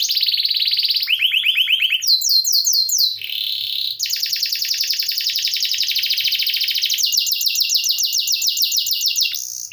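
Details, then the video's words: Long canary song recorded as a model for other cage birds: a chain of distinct tours, high trills, a low rolling run, bright upswept notes and a long fast buzzy trill, all delivered without pause. "Kenari Gacor Ngeroll || Cocok Untuk Masteran Burung"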